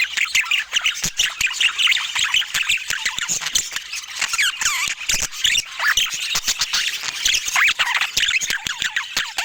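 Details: Several budgerigars calling together: an unbroken stream of high, twittering warbles, squeaky chirps and short rising whistles, laced with frequent dry clicks and taps, steady in loudness throughout.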